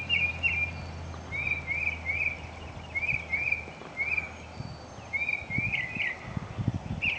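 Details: Mockingbird song: bright, rising-falling chirped phrases delivered in quick groups of two or three, with a low rumble of distant traffic underneath.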